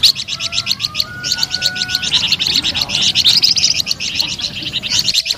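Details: Flamboyan bird in melodious, lively song: continuous rapid high chirping, several notes each second, with a faint steady tone underneath early on.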